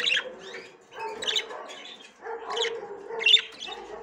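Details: While trying to go into the nest for the first time, a female budgerigar chatters in rough, buzzy bursts that repeat roughly every second, each with a low nasal undertone beneath bright scratchy notes.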